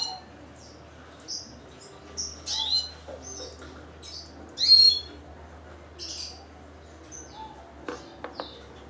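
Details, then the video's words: High, thin begging squeaks from a ten-day-old red siskin chick being hand-fed, scattered short chirps with one louder burst near the middle, low steady hum in the background. "Ngelolohin Red Siskin umur 10hr"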